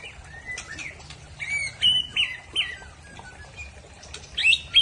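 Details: Aceh-type white-rumped shama delivering its rough trill style: sharp, high whistled notes that bend up and down, given in short bursts with pauses, and a bright upward flourish near the end over a quiet background.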